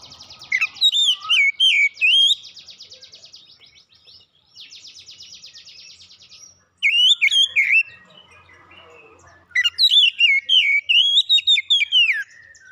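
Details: Oriental magpie-robin in full gacor song: three bouts of rich, varied whistled phrases that slide up and down, with rapid buzzy chattering trills filling the gaps between bouts.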